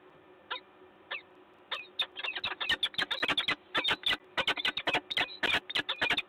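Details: Peregrine falcons, a pair, at Gdańsk, Poland, recorded 10 October 2021: a few isolated harsh notes, then a rapid, irregular burst of loud rasping cackles repeated several times per second.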